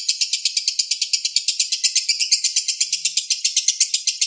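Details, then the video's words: For training songbirds, a balibu lovebird chatters in rapid, rasping high chirps, repeated briskly and evenly with slight shifts in tone. "MASTERAN LOVE BIRD BALIBU Terbaik Sangat Mudah Di tirukan"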